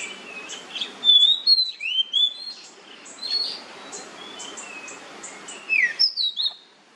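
An oriental magpie-robin sings a varied run of loud, clear whistles, slurred upsweeps and sharp chirps in quick bursts over a soft background hiss.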